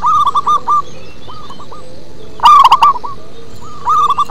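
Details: Local-strain zebra dove singing in a deep, bass-toned style: short cooing phrases of rapid, stuttering notes, with a fainter second dove answering between the louder bursts over a low background hum.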